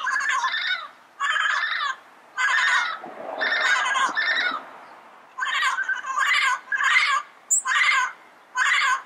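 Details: Repeated loud, nasal squawks of a wild yellow-headed parrot, about a dozen banded calls, each roughly half a second long, in steady bursts with a brief rougher patch midway.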